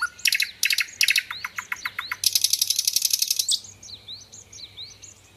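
A nightingale sings a rapid, varied phrase: clicking bursts, then a fast rattling trill, then a few clear rising whistles.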